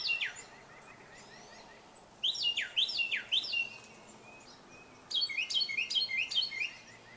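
A Carolina wren sings loud, ringing bursts of quick, steeply falling whistled notes, repeated in rolling phrases a couple of seconds apart. Other birds call faintly behind it.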